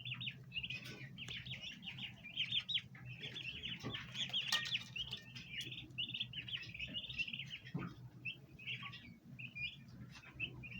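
Bronze turkey poults keep up a dense, overlapping chorus of high, thin peeps and chirps, with a low background hum throughout.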